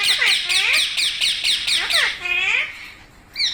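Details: Parrot repeating short, harsh, down-sweeping squawks about four times a second, ending in a longer wavering screech.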